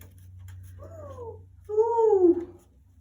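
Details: A 35-year-old female Congo African grey parrot, perched up by a bathroom window indoors and looking outside, possibly at squirrels, gives two short, tonal, arching calls a second apart, the second louder and sliding down, over a low indoor hum.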